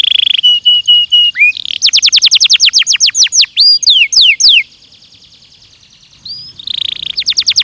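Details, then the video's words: Belgian canary training song with buzzy trilled phrases, quick bursts of repeated chirps, loud downward-sweeping whistles, then a short pause before a fresh rapid trill starts. "ESPETACULAR canário belga,,! 30 MINUTOS DE TREINAMENTO DE BELGIUM CANARY VOCÊ VAI CANTAR MUITO"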